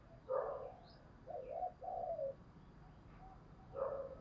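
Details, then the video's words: Lure spotted dove giving the 'thúc bổi' call meant to bring in wild doves: hooting notes and rolling coos, heard faint and distant over steady background hiss. "tiếng cu mồi thúc bổi// tiếng chim cu gáy gọi mồi"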